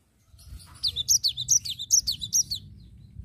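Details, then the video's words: Cinereous tit singing vigorously in the rolling ngerol style: a fast run of high, sharp, down-slurred whistled notes, about seven in quick succession over two seconds, against a quiet low background hum. "Gelatik Batu nggacor Ngerol"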